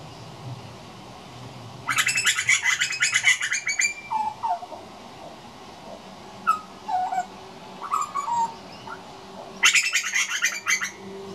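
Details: A juvenile grey butcherbird practising its song: bursts of rich, scratchy chatter alternate with a few clear, low, fluting notes, loosely spaced over several seconds.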